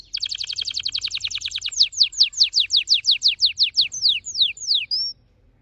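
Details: Red factor canary, an orange-red pet bird, singing a very fast trill: a rapid run of high chirps slowing into about a dozen clear, descending whistled sweeps, ending on a brief steady note, with a faint low hum beneath.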